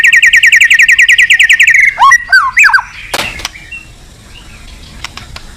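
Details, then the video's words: White-rumped shama song given as a challenge to a rival: a fast loud trill of rapid repeated notes around two minutes... about eighteen notes in under two seconds, then swooping whistled phrases, a sharp click and fainter scattered chirps. "Suara Burung Murai Batu Gacor Memanggil Lawan"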